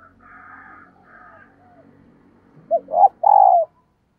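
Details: Female dove calling to lure and stimulate males: after a faint low murmur, three loud coos, two short rising notes and then a longer drawn-out hoarse coo falling at the end.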